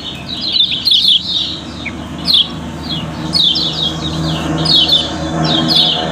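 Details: Yellow-bellied prinia, a caged songbird from Lombok kept as a lure to set other birds singing: bursts of high, thin, chirping notes that sweep up and down, delivered in quick clusters with short gaps, over a low steady hum.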